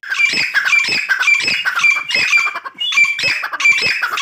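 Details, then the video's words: Grey francolin, known locally as dakhni teetar, calling loudly in a harsh, shrill, squawking series of strident notes repeated roughly every half second, with a short pause midway before the series resumes. "Teetar Francolin Voice | Gray dakhni Teetar Ki Awaz | Dakhni tetur ki Awaj"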